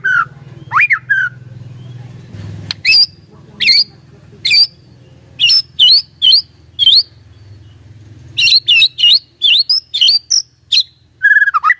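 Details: White-rumped shama song used as a lure to trigger a response: sharp whistled phrases and high chipping notes in rapid bursts, a rising whistle early on, with a low hum beneath.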